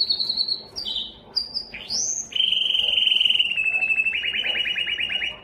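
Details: Yellow canary singing short high whistles and an upward swoop, then a long rapid rattling trill that grows louder and coarser toward the end.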